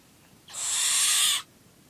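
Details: Barn owl nine weeks old, at feeding time, gives a single harsh hissing screech lasting about a second, broad and rasping, set against a quiet background.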